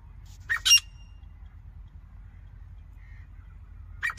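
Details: Harsh paired squawk from a grey francolin, then a pause before the next call begins at the end; steady low background rumble.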